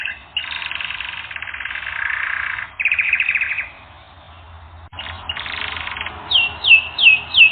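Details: Canary song for training: long buzzy rolled trills held for over a second each, a short pause, then another roll followed by a series of repeated whistled upward-sliding notes.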